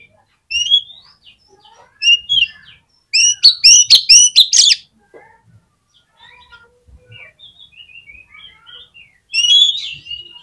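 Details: Oriental magpie-robin, a kept songbird used to provoke other magpie-robins into singing: scattered whistled notes, then a loud burst of rapid, repeated harsh and whistled phrases, trailing into soft twitters and a final whistled flourish.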